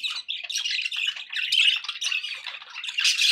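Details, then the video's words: Brief burst of pet budgerigar chatter, harsh squawks and rapid chirps blending into a continuous warble, loudest at the end. "budgie sounds for pet birds"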